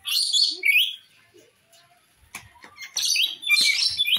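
Rainbow lorikeet giving harsh, shrill screeches and chattering notes in bursts, with quieter clicks and twitters between.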